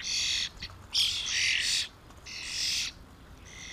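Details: Starling family feeding on mealworms, 2016: long, loud grating screeches, three main bursts in under four seconds, one pierced by a thin whistle, over a quiet background.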